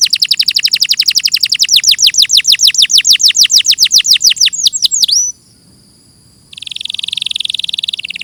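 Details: Canary master song, clear recording: a fast run of descending sweeping notes for five seconds, a brief pause, then a buzzy rolling trill.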